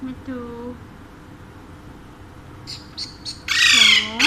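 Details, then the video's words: Indoor pet Alexandrine parakeet, one of two birds said to speak Urdu and Hindi. Soft, low, slurred notes give way to a few short chirps, then a loud harsh squawk at the end. "My Two Sweet Alexandrine Parrots Talking in Urdu/Hindi"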